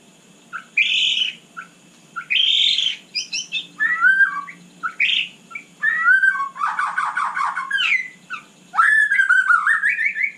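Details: Night song of a white-rumped shama, varied whistled and chattering phrases, some harsh trills, given in short separated bursts over about ten seconds.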